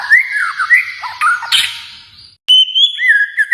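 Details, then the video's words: White-rumped shama from Kalimantan with fluid, looping whistled phrases, a harsh burst, then a clear steady whistle and lower warbles after a brief gap. "murai batu Kalimantan"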